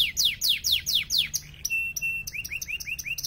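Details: Belgian canary singing, one of three yellow canaries: slow loud downward sweeps, then a level sustained whistle and a run of arched, bouncing notes.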